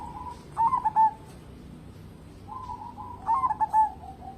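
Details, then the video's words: Local zebra dove singing strongly, a lure to make other birds sing: two phrases, each a short soft coo leading into three or four rapid, rolling notes, separated by about 2.5 seconds of quiet hiss. "burung perkutut lokal gacor cocok buat pancingan"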